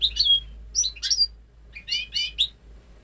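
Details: Goldfinch × canary hybrid, ten months old, born May 2013 in home breeding, never exposed to male canary song, sings pure goldfinch-type phrases: rapid bright tinkling twitters and a drawn whistle in quick clusters, cleanly recorded in a quiet setting.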